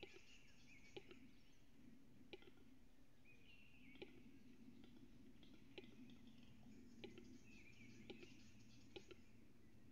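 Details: Western capercaillie display during morning rivalry between males, two males and two females present, recorded 19 April 2022 between 04:50 and 05:02; sharp, dry clicks repeat roughly once a second over low rumbling, with thin twittering from other small birds.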